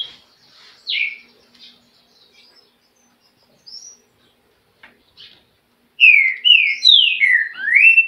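Green-winged Saltator: a single loud downslurred whistle, then a quick run of five or six rich, slurred whistled notes, falling and rising.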